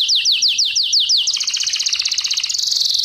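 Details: Canary singing in a training lesson: a series of six sharply falling sweeps, then dense fast rattling trills climbing slightly higher toward the end.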